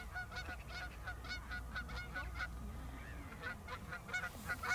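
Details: Many pied avocets in a breeding colony in South Holland in March give clear, fluty 'kluut' calls, several per second and overlapping as a chorus, amid aggressive chasing of black-tailed godwits, over a low rumble of wind.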